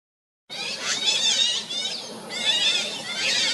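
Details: Sunda pygmy woodpecker, a single chick in the nest that is ready to fledge, filmed with a Nikon camera before heavy rain. High, buzzy, wavering calls come in quick runs after a moment of silence.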